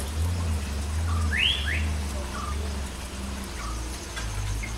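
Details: Asian fairy-bluebird giving a loud, liquid whistled call that sweeps up and then down, with a couple of shorter, softer notes before and after it, over a steady low rumble.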